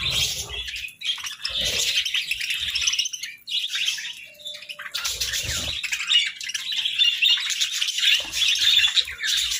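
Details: Several budgerigars basking in the sun, chattering steadily with buzzy warbles and quick chirps, broken by short pauses and occasional low bumps.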